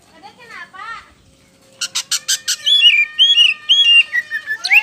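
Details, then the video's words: Loud white-rumped shama song: soft whistled warbles, then a rapid burst of harsh buzzy notes, followed by rich slurred whistles repeated roughly twice per second. "SUARA PAMCINGAN KACER POCI GACOR BIKING NGEPLONG"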